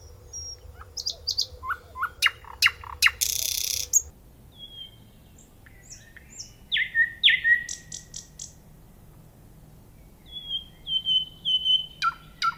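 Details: Singing nightingale delivering varied phrases: quick repeated chirps and a loud buzzy burst, silence, then downslurred notes, high ticks, and later a run of thin repeated whistles.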